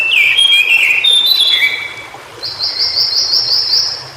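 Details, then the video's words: Wild White-browed shortwing in its natural habitat giving a short jumble of clear, slurred whistles. A thin, high, evenly repeated trill of about eight notes follows, and the background is quiet. "Suara Burung Cingcoang Biru Di Habitat Aslinya"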